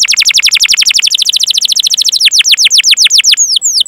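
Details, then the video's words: Canary performing a 'ngerol' rolling song for training other canaries. A very fast trill of downward-sweeping whistles runs for two seconds, then slows into separate, longer falling notes. "Masteran Suara Burung Kenari Gacor Panjang cuit cuit Ngerol untuk Pancingan Kenari!"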